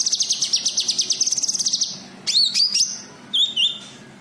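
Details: White-eye (cucak kinoi) calls used as a lure for untrained birds: a steady, very high, rapid trill lasting nearly two seconds, followed by several clear rising and wavering whistles.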